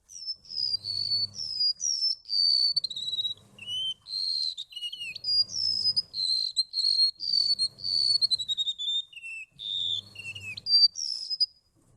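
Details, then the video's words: Golden-bellied gerygone singing a loud, high run of varied whistled notes. The notes slide up and down and come in quick phrases of several notes each, with short gaps. Soft low thumps pulse in the background about every two seconds. "Burung remetuk laut"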